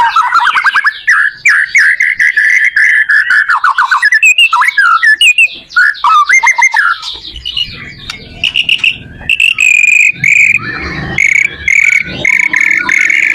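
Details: White-rumped shama song played to help other shamas learn to sing: a loud, rapid, varied stream of whistled and chattering phrases, shifting into sustained buzzy, trilled notes in the second half, with some background rumble.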